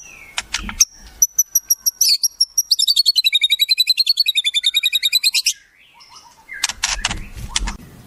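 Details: Shama singing wild-bird imitation fills: repeated high whistled notes leading into a long, rapid rolling trill of about three seconds, ending with harsh scratchy notes.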